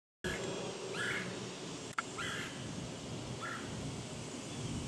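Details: Red-headed woodpecker (Melanerpes erythrocephalus) recorded on August 21, 2022, gives three short, harsh, nasal calls about a second apart, the last fainter, over steady hiss and a single sharp knock.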